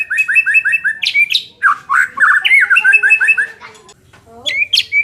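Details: White-rumped shama song, played to make a less aggressive bird more competitive: fast runs of repeated rising whistled notes around a steady pitch, broken by sharp high upslurs and short harsh chatters, with a brief lull near the end.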